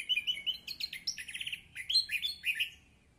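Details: Orange-headed thrush singing as a lure to coax a silent bird back into song. A fast, continuous, varied warble of high chirps and trills runs without a break and fades at the end.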